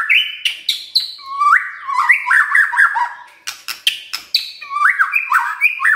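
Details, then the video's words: White-rumped shama morning song played to coax a silent shama to sing. Dense, slightly harsh warbled phrases are mixed with sharp cracking clicks and higher whistled notes, delivered almost without pause. "Pancingan PAGI-PAGI AGAR MURAI GACOR❗ murai diam pasti ikut NYAUT EMOSI❗❗"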